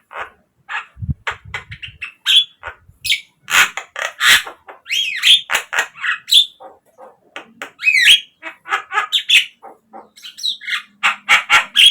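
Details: Javan myna song used as a lure to get captive birds singing: a dense, varied run of harsh squawks, clicks and sharp whistled notes, some rising, delivered in quick bursts throughout.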